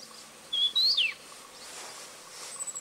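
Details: Grey-chinned minivet, recorded 3 March 2023 at Tengzhi, gives a single high, thin whistle that steps upward and then slurs steeply down, followed by faint, distant high notes against a quiet background.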